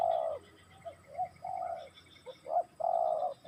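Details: Low, mellow cooing of a spotted dove (tekukur): a long opening coo, a few short soft notes, then another long full coo, with faint high bird twitters behind.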